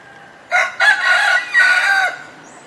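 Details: Single rooster crow, loud and harsh, in three joined parts lasting about one and a half seconds, over low background noise.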